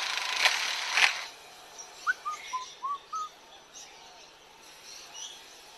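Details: A zoo lyrebird mimics nearby construction work: two sharp bangs like tools striking, then five or six short, clear whistled notes over about a second, with faint higher chirps.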